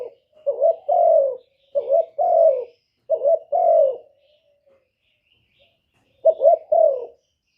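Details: Decoy spotted dove cooing to pull wild doves toward a trap. Three quick phrases each pair a wavering rising note with a drawn-out descending coo, then a pause before a fourth phrase starts.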